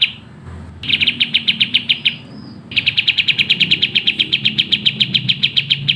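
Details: Fast, dense singing of a sooty-headed bulbul: quick high chirps in steady runs of about three to four per second. A brief quiet start, then a short gap between two long bursts.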